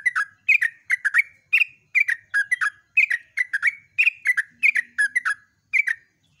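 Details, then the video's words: Yellow-vented bulbul in energetic dawn 'ropel' song, pouring out short, bubbly, liquid phrases of two or three quick chirps each, repeated roughly once per second in an almost unbroken run against a quiet background. "TRUCUKAN GACOR ROPEL"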